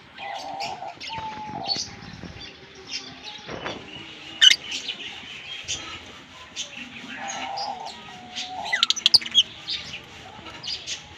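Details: Green Fischer's lovebirds, a kept pair, singing and chirping: long runs of scratchy high twittering with sharp squeaks, while a steady mid-pitched hum starts and stops in the background.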